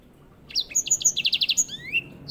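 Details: White-rumped seedeater, a master bird for young canaries: a quick series of high chirps leading into an even, rapid repeated note, ending in a rising whistled slur, over a soft background hiss.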